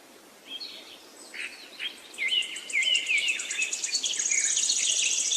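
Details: Birds chirping in forest and jungle: varied short whistled chirps and slurred notes building in loudness, with a steady high insect-like buzzing trill behind them toward the end.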